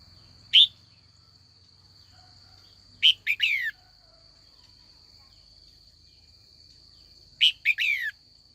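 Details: Afternoon calling by a trained female red-whiskered bulbul, meant to rouse older wild-caught males to sing against each other: one isolated bright note, then two short runs of three falling slurred notes, over a continuous high whine.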